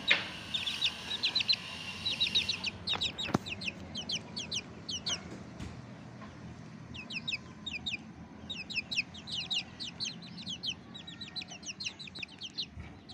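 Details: Young Bangkok chickens taking the morning sunlight, calling steadily with shrill falling peeps, at times two or three close together, in a near-continuous chorus throughout, with a few soft knocks.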